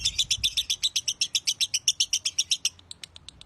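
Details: Lovebird of the Broty line, a master bird for tutoring, giving a steady fast run of about twenty bright high chirps that fade into softer, sparser notes at the end.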